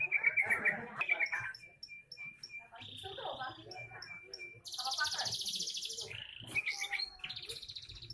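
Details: Song of a young canary. A fast rolling trill opens, followed by a string of short high pips over a long steady whistle, then a loud harsh buzzy burst and twittering flourishes.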